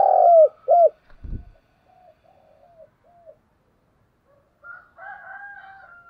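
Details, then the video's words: Lure spotted dove cooing to attract wild doves. The clip opens with two deep, rounded coos, then a dull thump and faint quiet notes, ending with soft wavering sounds. "Tiếng cu gáy hay nhất/ Tiếng cu mồi thúc bổi và gáy gọi"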